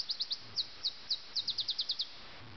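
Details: Common nightingale in Sussex, recorded at 4 a.m. on 30 June 2010: a bright, rapid run of about thirteen high, sharply falling whistled notes, spaced unevenly at first, then tightening into an even, accelerating series before stopping, with faint background hiss.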